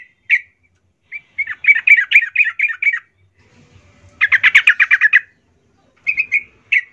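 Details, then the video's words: Yellow-vented bulbul in full, active song: bursts of fast, bubbly, chortling notes, a loose run then a dense rapid rattle-like burst, separated by short pauses, ending with a few clear single whistles. "Suara trucukan gacor"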